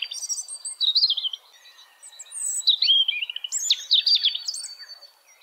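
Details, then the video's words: A European robin sings high, liquid, tumbling phrases of trills and sweet notes separated by short pauses, over a thin, steady high whine in the background. "Beautiful voice from Robin"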